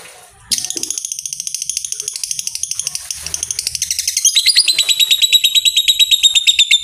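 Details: Fighter lovebird giving the long 'ngekek panjang' trill, a recording meant to prompt other lovebirds into long trills: after half a second of quiet, a fast, high, chattering series of sharp notes that runs on steadily and grows louder near the end.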